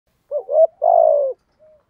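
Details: Spotted dove lure bird of the thổ style, cooing: two short rising coos then a long, slightly falling coo, with a faint soft note after; no other sounds.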